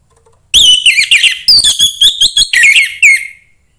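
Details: Orange-headed thrush song from a young forest bird, meant to excite other thrushes: nearly three seconds of rich, rapid whistles mixing rising and falling slurs with brief chattering notes, ending on a downward whistle.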